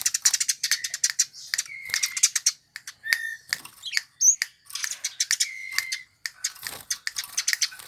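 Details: Chattering Eurasian tree sparrow, a species favoured by songbird fanciers: quick high chirp series, a few drawn-out flat whistles, and a short silent gap partway through.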